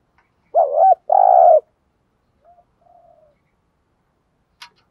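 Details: Spotted dove decoy cooing for training newly caught birds, one loud phrase of a wavering hoot and a long rolled note, then a few faint soft notes and a sharp click.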